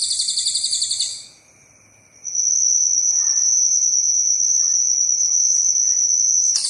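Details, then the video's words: Cililin bird in full song, from a master recording used for training birds. A loud, dense high buzzing trill stops briefly, then a long, steady, piercing high whistle-like trill runs unbroken for over four seconds. "Masteran Burung "CILILIN" Gacor Tembakan Panjang Mantap !!!"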